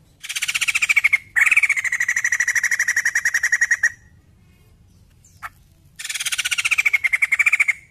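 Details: Long chattering trains of rapid harsh beats from a white-crested laughingthrush over a level ringing tone, two extended bursts split by a brief pause; used to coax other birds into song.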